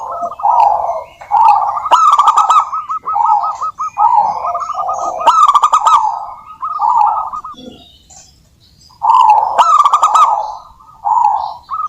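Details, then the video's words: Local wild zebra dove in energetic song, used to make other doves start singing: phrases of quick cooing notes, each led by a rattling burst, repeat with brief pauses between. "suara burung perkutut lokal gacor COCOK untuk pancingan perkutut agar bunyi"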